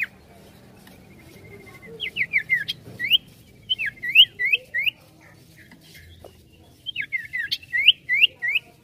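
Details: Sirtu bird in full, lively song: two bursts of clear whistled notes, each a quick string of slurred, rising and falling phrases about three per second, separated by a pause of about two seconds.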